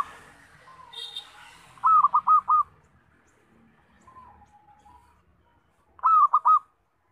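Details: Loud local zebra dove song, used as a trapping lure: two phrases of clipped, rapidly repeated cooing notes about four seconds apart, with faint chirps and soft whistles from other birds around them.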